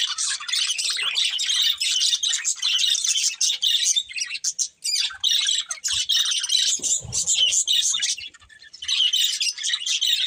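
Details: A family of pet budgerigars chatters in steady bursts of rapid warbled chirps and harsh squawks, with two brief pauses and faint low thumps in between.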